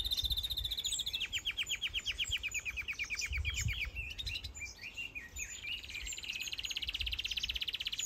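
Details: Mixed aviary birds in a large planted aviary in Denmark, with finches, canaries, goldfinches, Gouldian finches, Java sparrows and others, many breeding: several birds chirp and twitter, a fast run of sharp repeated notes and thin high whistles over low rumble.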